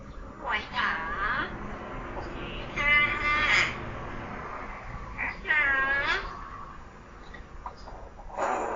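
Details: Common hill myna kept as a pet, less than a year old, mimicking human talk: four loud harmonic phrases with wavering, catlike, voice-like tones, separated by short pauses and softer chatter.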